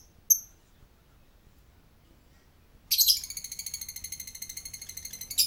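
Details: Lovebird with one sharp high chirp, a silence, then a rapid pulsing high-pitched chatter running to the end, the ngekek style of continuous chatter.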